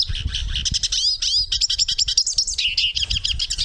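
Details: Hooded siskin song: fast, high twittering with buzzy trills and thin sliding whistles run together in a continuous jumble, over faint low thumping background noise.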